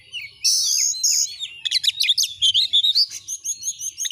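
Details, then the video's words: Oriental magpie-robin in full song: two long buzzy high notes open a rapid, energetic stream of chirps, twitters and whistled flourishes with almost no pauses. "Masteran burung Kacer AUDIO JERNIH BUAT ANGKAT EMOSI AGAR CEPAT ON NGOBRA,Kacer gacor"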